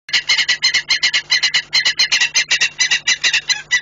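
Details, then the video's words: A saker falcon calls as it arrives at its nest at the PKN Orlen site in Płock, Poland, on 25 January 2018 at 08:52. Loud, harsh notes come fast, about five per second, without pause. "Shouting Saker arrived to the nest"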